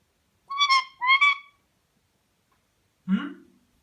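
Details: An angry pet Indian ringneck parakeet, trying to bite the camera phone, gives two harsh, nasal squawks in quick succession, then a short low human murmur follows.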